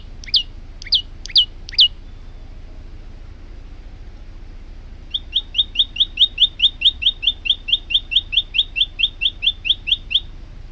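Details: Male olive-backed tailorbird singing with variations, used as a tutor recording for other birds: four spaced, emphatic downslurred notes, a short gap, then a fast run of about twenty-five quick high chips at roughly three per second.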